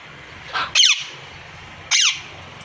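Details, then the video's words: A parrot gives two harsh, high screeching squawks about a second apart, each sliding downward, over a faint low background hum. "parrot sound real voice ll parrot male female real voice and real sound"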